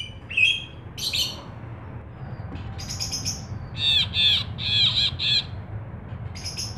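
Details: Ashy bulbul singing vigorously for use as a lure and tutor recording: scattered sharp notes at first, then a regular series of four loud, nasal, buzzy notes near the end, over low-pitched background hum.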